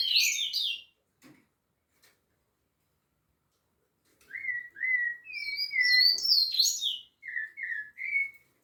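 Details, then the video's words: Rufous-bellied thrush singing at Piedade: a brief high phrase, a quiet gap, then a string of short clear whistled notes with higher twittering flourishes mixed in. "SABIÁ LARANJEIRA canto"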